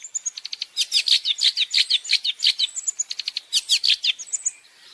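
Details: Nonstop long-tailed shrike masteran song with champion fill-ins: dense rapid chatter of high, sharp chirps, nearly three notes a second, rising into louder scratchy runs before fading at the end.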